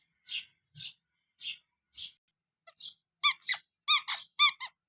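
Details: Baby chicks, colourful domestic chicks kept indoors under heat, giving high chirps: soft short peeps at first, then loud, clear, harmonic-rich cheeps in quick uneven bursts, in a small quiet room.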